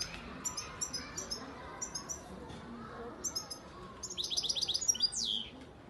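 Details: European goldfinch, a young bird hatched in 2019 from Antalya, Turkey, singing: clusters of very high, thin twittered notes at irregular intervals, then a fast run of repeated chirps ending in a long downward-sliding note; faint murmur of voices behind.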